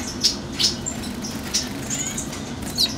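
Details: Lesser goldfinch of subspecies colombianus (Spinus psaltria colombianus) giving brief, high chips about every second, with a few thin, drawn-out whistles between them, over a steady low hum.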